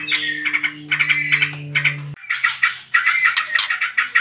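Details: White-rumped shama song used to provoke other birds into singing: rapid chattering, trilling phrases with short whistled notes, in bursts; a steady low hum fills the first half, then stops abruptly.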